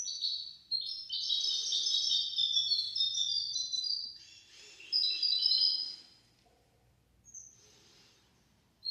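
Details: Singing goldfinch-canary hybrid, recorded to teach goldfinches and canaries to sing. Rich, high, rippling trills run for about six seconds, then give way to near silence with a lone thin whistle.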